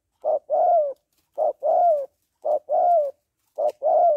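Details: Female spotted dove giving her call to excite a male. Four even phrases, each a short low hoot followed by a longer coo that glides down at the end, spaced about a second apart.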